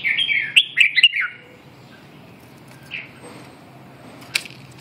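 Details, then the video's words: Red-whiskered bulbul delivering a quick, lively run of warbled, slurred notes at the start, then a lone chirp and a faint sharp click against quiet background hiss. "chim Chào mào"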